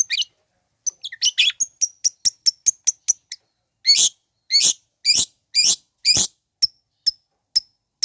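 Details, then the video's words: Long-tailed shrike song used to goad unexcited shrikes into response: rapid high clipped notes, then loud harsh rasping bursts about every half second, fading into sparse sharp notes. "Bikin Cendet Loyo Kurang Emosi Agar Segera Terpancing Emosi &Ikut Bunyi"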